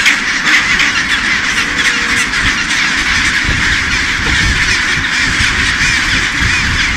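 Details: Crowded chinstrap penguin colony on Deception Island in Antarctica's South Shetland Islands, Baily Head: countless overlapping croaking, braying calls merge into a steady din, with a soft low rumble beneath.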